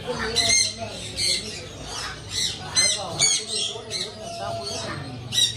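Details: Pet parrot from a collection of different parrot types, giving a run of harsh, raspy squawks in short bursts about every half second to second, over a steady low background hum.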